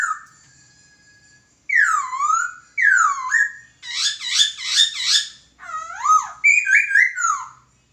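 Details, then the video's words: Laughingthrush master song for bird training: two loud downslurred whistles, followed by a fast series of rich, repeated harmonic notes and varied looping phrases. "Burung Poksay Masteran"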